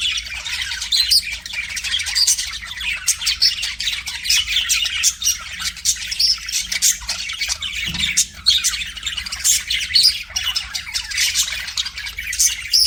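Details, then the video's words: Domestic budgerigar singing to its mirror image: a long, unbroken stream of scratchy chatter, clicks and squawky chirps, with a dull thump partway through. "BUDGIE SINGING TO MIRROR"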